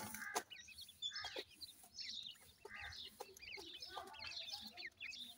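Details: Little grey francolin chicks calling their mother: dense high, thin peeps and wavering whistles in quick succession, with some sharp clicks and a faint hiss behind.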